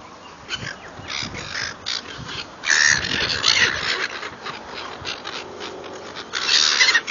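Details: A crowd of gulls being fed, calling constantly with rapid, overlapping short harsh squawks, roughly three or four a second, rising into louder strained cries near the middle and end.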